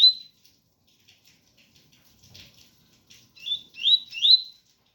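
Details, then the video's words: Double-collared seedeater song, style ganga 001 among pure tui tui, over a rain sound: a short whistle at first, a stretch of faint rain clicks, then three quickly repeated rising whistled notes. "Coleiro ganga 001 entre tui tui puro com som de chuva"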